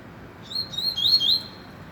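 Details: Rusty-collared seedeater in the trovão song style, giving a short string of thin whistled notes. Several slurred, upward-sweeping whistles come in quick succession, louder in the middle of the phrase, over a faint steady hiss.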